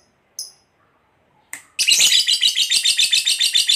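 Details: Fighter lovebird giving two sharp chirps, then breaking into long ngekek chatter used to goad other lovebirds into answering: a loud, rapid, grating trill, evenly pulsed at about six notes a second.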